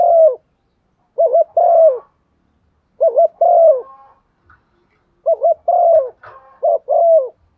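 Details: Decoy spotted dove cooing to draw other doves into calling: low two-part phrases, a short quavering note then a drawn-out descending coo, delivered in bursts with quiet gaps and faint soft notes between.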